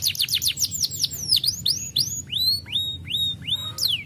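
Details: Canary singing vigorously, played as a lure to stir lazy canaries into song: quick down-sweeping whistled notes give way to rising, hooked slurs repeated about three times a second, strong and clear.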